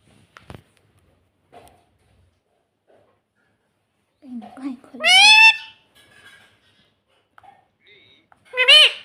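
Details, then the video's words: Talking pet parrot, saying "mummy": quiet low murmured speech, then a loud rasping harmonic squawk, silence, and a second short harsh squawk. "Parrot Talking Mummy Mummy"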